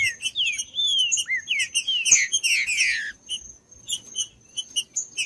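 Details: Green-winged saltator song played to warm up other saltators: a run of loud, clear whistled phrases sliding up and down, ending in a falling slur, then sparse quick chirps over a faint steady high tone.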